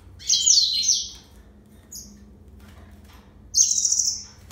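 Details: Yellow-fronted canary singing two bright, rapid trilled phrases at very high pitch. A tiny chip falls between them in a quiet gap of over two seconds.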